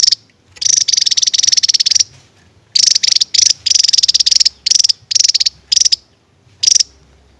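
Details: Javan tesia singing its 'tembakan' song: a long high rattling run followed by a rapid series of short, sharp, very high pulsed bursts with brief gaps.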